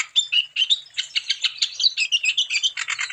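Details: Wambi bird in full, lively song used as a lure to get other wambi birds singing: a fast run of buzzy, chattering chirps with brief whistled notes, repeated about five times a second without pause.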